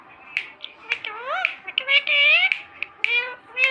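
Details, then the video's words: Talking parrot kept as a pet in Sindh gives a stream of high, speech-like syllables with rising and falling voiced tones, broken by short sharp clicks and snaps. "mithu bete full talk parrot"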